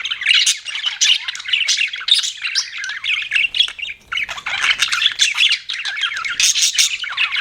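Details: Budgerigars kept as pets chattering, with dense sharp twitters and harsh squawks that rise and fall in bursts and dip briefly at mid-clip.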